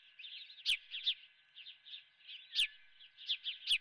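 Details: At the nest, an osprey with a live golden fish brought for breakfast gives quick high chirps in short bursts, punctuated by three louder sharp clicks.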